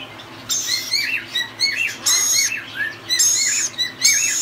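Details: Tame baby rainbow lorikeet calling: bursts of shrill, wavering chirps and short upslurred squeaks, some with harsh broadband rasps, coming in uneven clusters with brief gaps.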